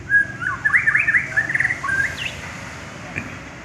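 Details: Champion white-rumped shama singing a fast, rolling warble of chips and whistles for about two seconds, ending in a rising note, followed by near silence.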